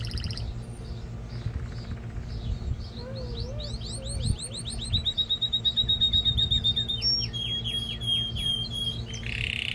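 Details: Canary song played to excite a hen for mating and to tutor young birds: faint chirps, then a fast series of descending sweeps that flows into a steady rapid roll and a high metallic trill, with constant background hum.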